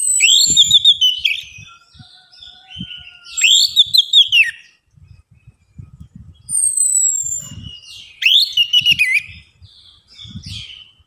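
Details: Lure recording of orange-headed thrush song meant to stimulate a reluctant bird to sing: several rich, whistled, warbling phrases separated by pauses, with soft low knocking noises throughout.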